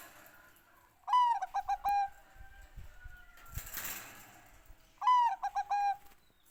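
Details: Bangkok-type zebra dove song, two phrases about four seconds apart, each a falling opening note, a rapid series of short rhythmic coo pulses and a final longer note; soft scuffing noises between phrases.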